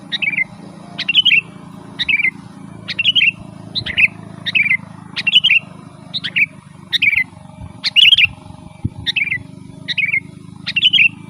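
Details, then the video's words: Sooty-headed bulbul in nonstop 'gacor' singing aimed at luring wild birds: about a dozen brisk, bouncy whistled phrases repeated nearly every second, a steady low rumble underneath. "Suara burung kutilang gacor Garuda full gacor dan ngeroll"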